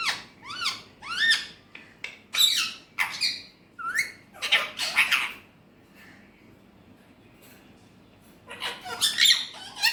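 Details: Pet Alexandrine parakeet speaking in Urdu/Hindi: harsh, squawky, rising-and-falling notes in quick bursts for about five seconds, a pause, then more chatter indoors.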